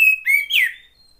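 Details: Oriental magpie-robin female, a sound used to stir lazy males to sing. Three loud, clear whistles: a level note, a rising one, then a richer note sliding downward. A brief quiet tail follows.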